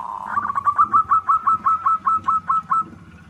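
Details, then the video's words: Local zebra dove (perkutut) singing: a soft opening coo followed by a fast run of about fourteen clipped, evenly spaced cooing notes, roughly five per second, then fading away. "Perkutut lokal gacor 99% suara perkutut manggung Nutut gacor"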